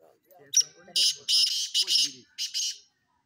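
Black francolin giving a loud, harsh, grating phrase of about six rasping notes in under three seconds, with a man's low voice murmuring underneath.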